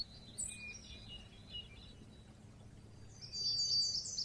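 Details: Oriental white-eye in a lure recording made for bird keepers: faint, thin, high twittering chirps at the start, then a louder quick burst of high chirps near the end, over a low steady background hum.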